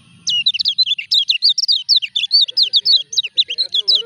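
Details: Kept common iora, moulting yet still vocal, pours out a continuous four-second run of quick, swooping chirps; faint low background noise at the start and a few softer lower tones near the end.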